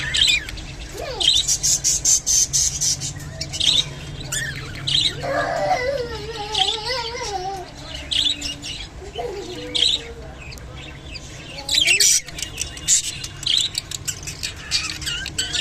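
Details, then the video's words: Japanese budgerigar while mating: busy high twittering and squeaky chirps, broken by a drawn-out wavering, nasal warble around the sixth second and a short rising squeak later, then more rapid chatter. "japanese budgerigar mating and sounds"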